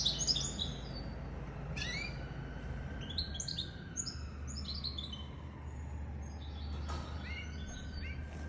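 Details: Quieter twittering from a goldfinch mule (goldfinch × canary cross): scattered high chirps and short trills, with a long faint sliding whistle and a noticeable low rumble underneath.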